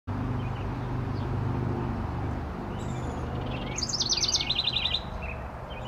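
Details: House wren, one of a pair using a backyard birdhouse: after a few seconds of low rumbling background, a bright, high burst of rapid jumbled notes tumbles into a fast trill of repeated notes, then brief scattered chips.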